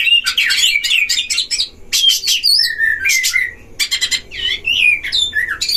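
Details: Caged Oriental magpie-robins duelling at a breeding site, a lure for other magpie-robins: dense chattering bursts, then a steady flat whistle and looping, warbled whistles, interleaved with scratchy noisy notes.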